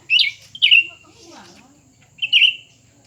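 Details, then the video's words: New and old cucak ranting challenging each other; two rapid warbled bursts close together, a soft murmur between, then another bright twisting phrase near the end. "pertarungan antara dua burung cucak ranting baru dan lama"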